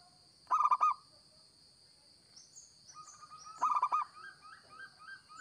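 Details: A local zebra dove, kept as a lure, gives two quick phrases of four or five throaty coos three seconds apart, while another bird's thin, rising chirps and a soft steady tone run beneath a high hum.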